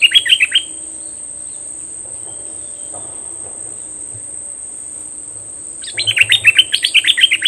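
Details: Cream-vented bulbul used as a decoy, described as fierce, May 2021: a short burst of quick chattering notes, about five seconds of near-quiet with a faint steady whine, then another fast run of slurred chirps.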